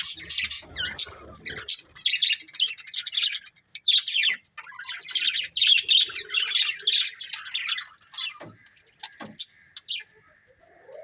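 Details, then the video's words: Colourful budgerigars from a breeding pair give bursts of scratchy chattering and squeaky chirps, broken by short pauses, fading late into sparse chirps, clicks and a faint steady whistle. "Cute Colourful Budgies Chirping Sounds"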